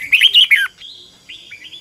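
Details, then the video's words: Red-whiskered bulbul decoy singing for training other birds: a rapid, loud warbled phrase of rolling whistled notes lasting about half a second, followed by softer, thinner whistles from a more distant bird. "chào mào mồi hót luyện giọng cực hay"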